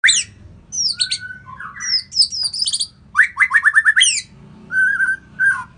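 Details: White-rumped shama from Indonesia singing a varied song: high sweeping whistles and slurred notes, a rapid burst of repeated clicky notes, then lower warbled phrases, over a faint low hum.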